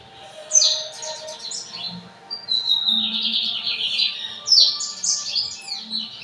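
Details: Torneiro-style lined seedeater song from São Luís, 14 May 2025, afternoon. Sharp downward-sweeping whistles open into rapid buzzy, rattling phrases, repeated twice, with faint low hum in the background.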